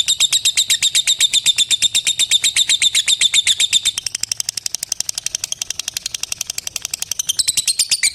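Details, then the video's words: A lovebird's extended ngekek, used to call a rival: a rapid, ringing series of shrill notes that softens and quickens midway, then rises in loudness again toward the close. "Suara Burung LOVEBIRD Memanggil LAWAN Bikin LB Lain ikut NGETIK SAMBUNG NGEKEK. LABET NGETIK PANJANG"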